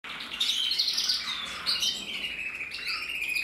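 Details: A male canary of the red mosaic variety, recorded in 2024, sings a fast, unbroken warble of high, bright notes and rolling trills that rise and fall without pause.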